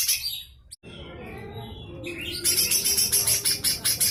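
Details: Lesser green leafbird giving its full harsh chattering song, used as material for teaching magpie-robins and shamas: a few thin whistled notes, then a loud rasping burst repeated rapidly, about twice a second.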